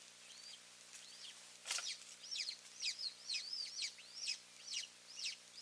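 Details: Golden eagle at a nest with two eaglets, both parents visiting, Finland, May 3, 2024: thin, high, sharp yelping notes in a steady series of about two per second, one brief loud crackle near the start.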